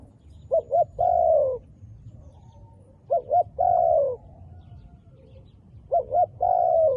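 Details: Three evenly spaced cooing phrases from a wild dove with dark black feathers. Each phrase is a double short note followed by a longer, downward-sliding hoot, and they recur about every two and a half seconds.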